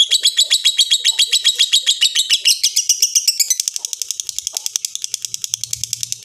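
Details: Lovebird ngekek, rough and slow to stop: fast, high, buzzy chattering notes that blur into a dense trill, then become sharper and more separated after mid-clip, continuing in an even rhythm; a faint low hum appears near the end.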